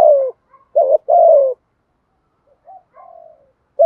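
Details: Decoy spotted dove luring wild birds with its cooing. Loud falling coos start the recording, then a short note and a long descending coo, later answered by softer, more distant coos.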